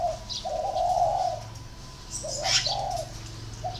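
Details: A spotted dove gives low, hollow, drawn-out coos in broken phrases. A sharp, bright chirp from another bird sounds partway through, and a low hum runs underneath.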